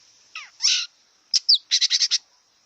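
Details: A wild long-tailed shrike utters two harsh nasal rasps, a sharp dropping whistle, then a fast run of five grating notes, all against a thin steady high hiss.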